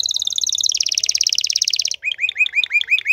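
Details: Canary, a domestic cage bird, sings a fast rolling trill that steps down in pitch, then switches to repeated hooked chirps at about three per second.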